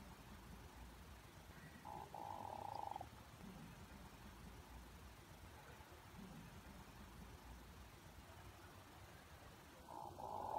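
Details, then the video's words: Hooded merganser courtship display, with a pickerel-frog-like voice: a low rolling croak near the start, then a long gap of steady low rumble, and a second croak beginning at the very end. "Hooded merganser duck call / sounds"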